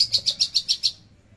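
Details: Javan bush lark producing a trotol burst on 13 December 2022: seven rapid, evenly spaced high pulsed notes in about one second, then silence.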